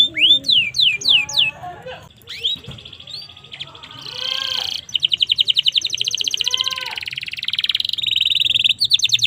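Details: Domestic canary recorded as a singing model for other canaries: looping whistled sweeps, varied chattering phrases, then long fast metallic trills repeated at an even pace.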